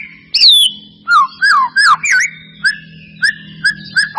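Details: White-rumped shama singing to provoke another bird into song: a loud high slurred whistle, looping downward notes, then short clipped whistles repeated at intervals over a faint low hum.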